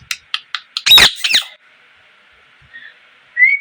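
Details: A parrot gives a run of short sharp chirps, then loud harsh rasping squawks, a quiet pause, and a bright rising whistle at the end.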